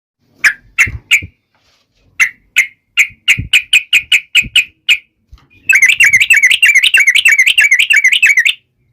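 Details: Yellow-vented bulbul singing to taunt rivals: a dozen separate sharp chips spaced unevenly, then a fast, continuous bubbly run of warbled notes lasting about three seconds.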